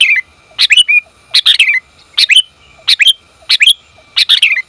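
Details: Female sooty-headed bulbul summoning the male. Triplets of clear, rising-and-falling chirps recur roughly every 0.8 seconds over a quiet background.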